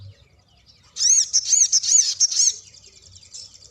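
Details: Sooty-headed bulbul singing a long rolling phrase: after a quiet second, a burst of rapid, arched, high chirping notes runs for about a second and a half, then fades into softer high twittering.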